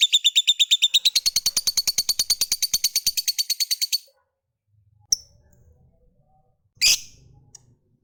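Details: Lovebird giving its long ngekek trill, a chattering run meant to prompt other lovebirds to answer: rapid harsh pulses for about four seconds, then silence broken by two short squeaks and faint rustling.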